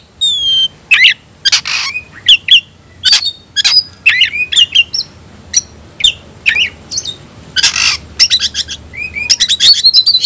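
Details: White-rumped shama giving a fight-challenge call toward a rival: a rich mix of harsh buzzy bursts, sharp chips and upslurred whistles, phrases tumbling quickly one after another.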